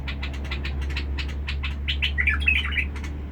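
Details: Harsh-voiced Basra bulbul: a fast run of sharp clipped chirps leads into a brief bubbling warble near the end, all over a loud low electrical hum.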